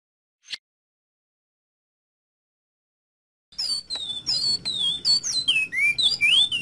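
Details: Coleiro (double-collared seedeater) in the bicudo clássico song style used for tutoring: a lone short chip, then a long silence, then a fast stream of varied slurred whistled notes, rising and falling, through the final seconds.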